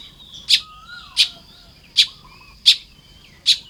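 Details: Baya weavers building nests on a morning in Lopburi, Thailand, 1 May 2026: sharp high chirps about every 0.7 seconds, with a thin, sliding whistle drifting down between them.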